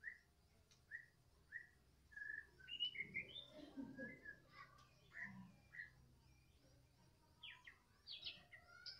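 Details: White-rumped shama, Medan type, heard in the afternoon: softer repeated whistled notes and varied phrases against a low background hum, with faint murmuring sounds partway through.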